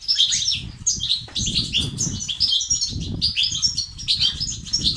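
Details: Goldfinch song in the betbeta and sestasat styles, meant to make silent males sing: busy, high, chattering twitters with buzzy notes, almost without pause, over steady low rumbling noise.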